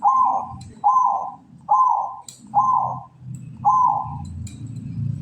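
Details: Zebra dove of the local kantong semar type in breeding condition, ngretek song: five loud, full coos spaced roughly one second apart, each with a slight rising inflection, over a low background hum.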